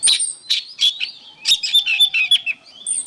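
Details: Energetic oriental magpie-robin song used as training material for cage songbirds: dense run of bright chirps, clicks and short whistles that follow each other rapidly with hardly any pause.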